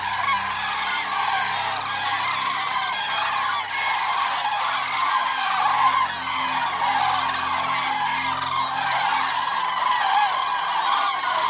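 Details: Flock of Eurasian cranes in continuous clamour: overlapping bugling, trumpet-like calls from numerous birds, harmonically rich and unbroken, forming a steady roar of voices with no pauses.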